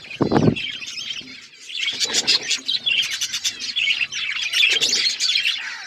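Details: Pet budgerigars in steady chattering chirps, overlapping high warbled notes in quick pulses, with a short low thud at the start and a softer bump later.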